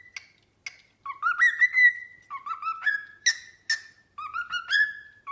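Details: Cockatiel singing a lively whistled melody: short clipped notes followed by upward-sliding phrases ending on sustained tones.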